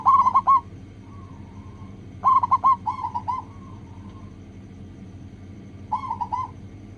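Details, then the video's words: Local zebra dove heard on a lure recording meant to get other doves singing quickly: four short bursts of stuttering, bubbling coos with clipped, rolling notes, separated by pauses of a second or more, over a low background hum. "PANCINGAN PERKUTUT LOKAL AGAR CEPAT BUNYI"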